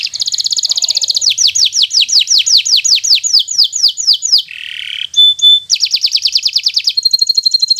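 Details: Bottle-green local canary song used as tutoring material for young birds learning to sing: rapid rattling trill, then a long series of quick descending whistled sweeps, a short pure note, more trills and a steady high whistle.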